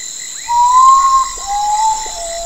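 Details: Urutau, the common potoo, gives a long, clear whistled note that swells slightly, then drops to two softer, lower notes in a sad falling sequence. Constant high insect buzzing and faint frog chirps behind.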